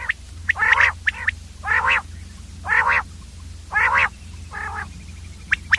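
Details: Batir, or common quail, repeating thick nasal rasping calls about once a second, each framed by short bright pips, with a steady low hum in the background.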